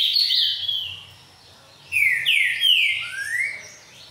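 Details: Green-winged saltator of the boiadeiro song type, kept by breeders; loud whistled phrases of slurred notes sliding between high and mid pitch, a short opening phrase then a fuller burst of descending and rising whistles.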